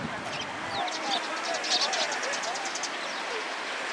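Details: Several sparrows flying into a cherry tree at a Tenmangu shrine on 24 March 2023. Many short, high chirps come in quick, uneven bursts over a steady background hiss, with a low rumble in the first second.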